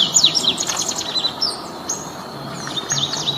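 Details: Double-collared seedeaters, five birds singing free in nature. High, rapid chirping and twittering notes, including short sharp downslurs, come in bursts over a steady hiss of outdoor background noise.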